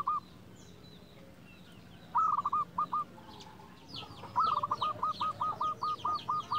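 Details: Local zebra dove, kept as a lure to provoke other doves: quieter rolling coo phrases, the last a long series of repeated notes, with faint high chirps from other birds.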